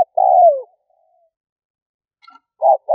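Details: Spotted dove lure call: a long, mellow coo that drops in pitch at its end, a pause with a faint high chirp, then two short low coos starting the next phrase.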